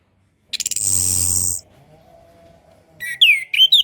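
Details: Orange-headed thrush tutor song meant for young birds learning to sing: a loud harsh rasping burst, a faint low hum, then quick bright whistled notes swooping down and up.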